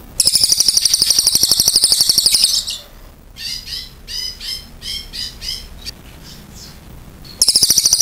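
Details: Cililin in full, long-delivered song: a rapid, high, buzzy trill of evenly repeated notes for over two seconds, then softer chattering phrases, then the fast high trill again at the end.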